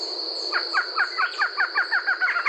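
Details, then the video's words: Barred Antshrike, known in Brazil as choca-barrada, maria-cocá or gata-véia, singing a fast series of evenly spaced, hollow nasal notes that run on steadily over a continuous high cricket drone. "Canto da CHOCA-BARRADA"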